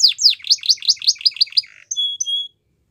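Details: Canary singing for training young canaries: a quick run of about ten rising-falling whistled notes, a short buzzy trill, then two thin pure whistles before silence.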